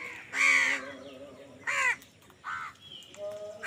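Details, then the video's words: Crows fighting over food give three loud, harsh, nasal caws about a second apart, the last one shorter, over faint background calls. "কাকের ডাক Crow Sound Crow ki Awaz Loudly | Crow bird Fight for Food"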